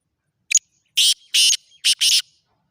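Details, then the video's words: Black francolin (kala teetar) at Khushab giving its loud grating call: a short clipped opening note, then two long harsh rasping notes, then a quick pair of notes to close. The phrase runs about two seconds against a quiet background. "kala teeter ki awaz"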